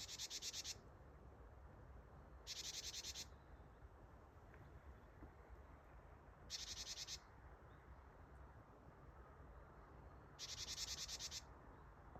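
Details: Nearby Japanese tit, 8 December 2025, giving the harsh "ji-ji-ji-ji" call said to mean "gather": four rasping buzzy bursts, each under a second, spaced several seconds apart over constant broadband background noise.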